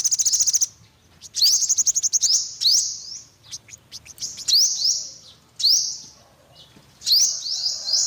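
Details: Olive-backed sunbird opening with a quick high rattling trill, followed by spaced bursts of thin rising sweeps and chatter.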